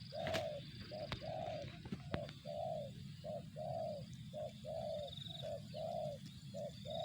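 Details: Spotted dove (tekukur), 'target zong' style: rapid, uneven series of soft burry coos, short and long notes alternating, almost one a second, with a few sharp clicks and background rumble.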